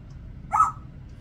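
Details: A 36-year-old female Congo African grey parrot, a household pet living with six dogs, imitates a dog's bark: a single short, harsh, mid-pitched bark-like burst in a quiet room.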